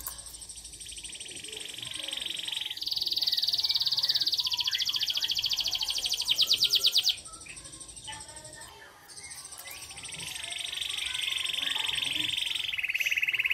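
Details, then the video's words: Local canary (kenari lokal) singing vigorously: long, high, unbroken rolling trills and buzzy rattles that change pace, with a fast pulsed stretch in the middle and faint background noise. "Kenari Lokal Gacor Dor"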